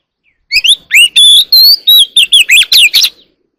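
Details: Oriental magpie-robin (kacer alam) singing in the early morning, an ornamental bird: quick string of about a dozen sharp whistled notes and twisting slurs, almost three per second, loud and clear.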